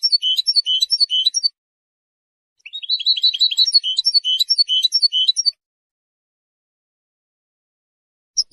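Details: Song of a European goldfinch, said to defend territory and attract mates: a lively series of repeated tinkling, twittering phrases, a pause, then a longer rush of rapid chirps and trills. Clean background.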